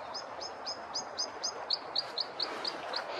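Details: Bluethroat song: a clear series of short, bright notes repeated about four times a second, the first run slurred and the second run sharper and higher, over a soft background hiss.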